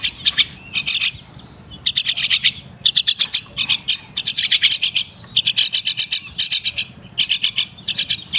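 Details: Crested myna, known as Martinez bird: rapid groups of dry, rasping chattering notes, three to six per burst, repeated with short pauses throughout.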